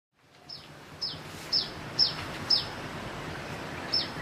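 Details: Sunbird singing with a strange chick-like sound: short, high, sharp chirps sliding downward, repeated about every half second, over a low rural background hiss.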